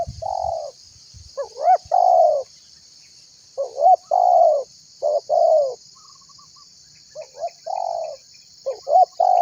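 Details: Tekukur (spotted dove) calling to get other birds to sing along. Low mellow cooing phrases, each with a short rising lead-in and a sustained hoarse coo, repeat every second or two. A steady high hiss runs throughout.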